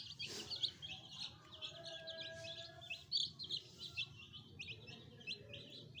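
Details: Pet chicken chicks, a fresh new addition alongside a hen, peeping nonstop as a crowd: short high arched peeps overlapping in quick succession, with faint steady lower tones and a soft low hum beneath.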